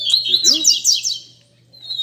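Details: Double-collared seedeater singing at a Sunday-morning song gathering among friends: fast run of high, sharp slurred notes with buzzy downslurs, then a brief pause and a thin sustained whistle; men talk quietly underneath.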